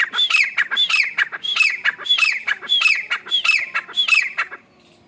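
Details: Grey francolin call: loud, harsh squawking phrases repeated steadily about every half second, each a high sharp note sliding into a lower grating one, stopping abruptly near the end.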